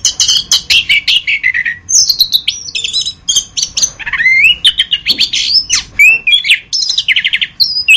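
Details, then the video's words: Masteran recording of anis kembang, the orange-headed thrush: a dense, unbroken stream of varied whistles, trills and sweeping slurred notes, some rising sharply, over about eight seconds; a faint hum beneath. "Masteran Anis Kembang"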